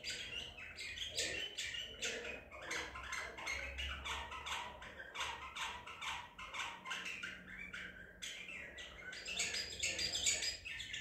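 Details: Song of a captured White-eared bulbul of Baghdadi type, April 2021: dense, rapid chirping and twittering phrases run on for about eleven seconds over a faint low hum.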